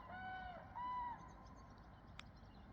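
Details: Common cranes near Hochwald in the Masurian forests of former East Prussia, Poland, give two loud, trumpeting calls, the second higher and slightly arched, over a low background rumble and one sharp click.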